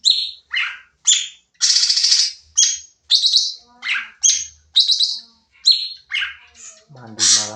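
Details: Sooty-headed bulbul in full rapid song for training other birds: a fast string of short, harsh, buzzy and chattering notes, each about a third of a second, delivered almost without pause, with a brief low voice at the end.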